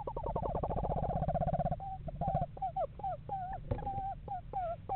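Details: Eastern screech owl, one of a pair house shopping in November, gives a steady, rapid monotone trill followed by a series of separate wavering, slightly descending hooted notes.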